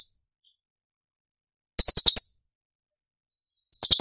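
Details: Cucak cungkok used as a tutor recording for other cage birds, tembakan style. Brief clusters of four or five sharp, high, clicking notes, separated by long silences.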